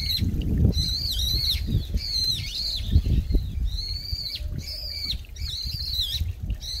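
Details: Brown-eared bulbul, a noisy grey resident bird in a late-autumn mountain park in Bucheon, South Korea, beside a trickling stream. A rapid series of loud, shrill squealing calls, some dipping and rising, some flat, with a steady low water murmur beneath.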